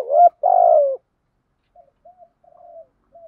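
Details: Spotted dove acting as a lure for wild doves: two loud, deep coos, the second long and sustained, then a string of faint, clipped low notes in otherwise silent surroundings.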